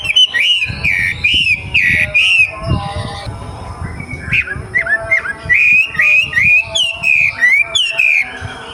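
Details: Wild juvenile forest wambi producing chains of quick, wavering whistled notes, about two to three per second, with some low background noise.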